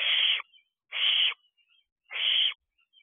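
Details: Young barn owl out of the owl box at dusk in mid-June 2023, uttering three rasping, noisy hiss-screeches spaced about a second apart, each under half a second, with faint soft squeaks between.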